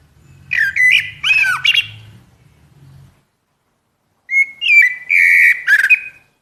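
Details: Common blackbird (Turdus merula) singing two bursts of fluty, warbled phrases with sharp chirpy notes mixed in, separated by a pause of about a second. A low hum sits under the first burst.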